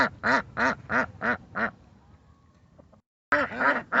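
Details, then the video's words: Ducks seen in their natural state quacking in a steady series of five loud, nasal, arched notes, then a quiet pause with faint background noise, before the rapid quacking resumes. "Sonido de Patos"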